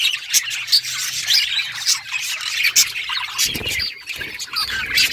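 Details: Playful budgerigars interacting, giving a busy mix of sharp chirps, short squawks and warbled chatter throughout, with a faint low hum and brief rustling near the end.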